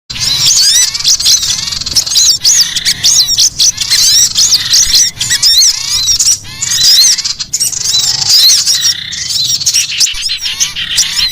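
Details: Collared kingfisher alarm call given when threatened, used as a lure. Harsh, grating, high notes repeat densely and almost without pause in fast chattering runs, with brief gaps.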